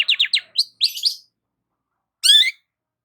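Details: Morning song of a sunbathing long-tailed shrike: a quick run of short sharp notes and buzzy phrases, a pause, then one dense scratchy burst.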